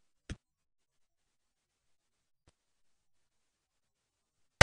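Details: Near silence, broken only by a faint tap early on and a loud scrape at the very end, with no animal sound.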